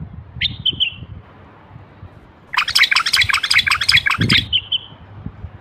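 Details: A North African (Moroccan) common bulbul gives a short whistled phrase, then a busy burst of rich, chattering song notes ending in a falling whistle, over a low background rumble.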